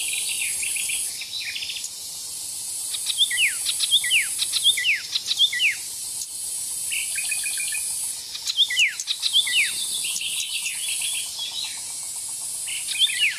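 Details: Oriental reed warbler, a migrant from East Asia often found in Indonesia during the rainy season, singing vigorously: harsh, chattering phrases of quick descending strokes in bursts, over a steady high insect-like hiss.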